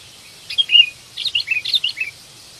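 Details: Sooty-headed bulbul of the ranting type calling to seek a companion, a recording used as a lure: two bursts of quick, bubbly, chirping notes, the first short and the second a longer run of about six notes, over faint background hiss.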